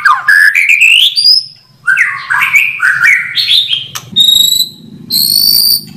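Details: White-rumped shama song in clear quality: rising whistled phrases sweeping upward, then sharp chips and high thin whistles held near the top, varied and loud, with brief pauses between phrases.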